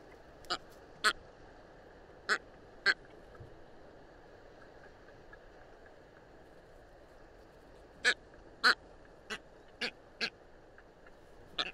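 Brown booby giving harsh, hoarse honks, single or in quick pairs, about ten over twelve seconds, against a steady background hiss.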